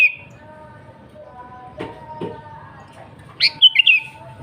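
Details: Sooty-headed bulbul gacor song for calling rivals: faint soft sounds and a couple of dull clicks, then one loud liquid phrase near the end, a rising note followed by falling bubbly whistles.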